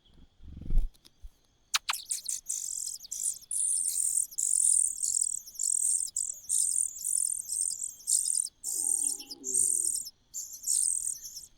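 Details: Common cuckoo chick in a host nest: high, thin, hissing begging bursts repeated steadily about once a second over roughly ten seconds, with a few clicks and a brief lower murmur in between.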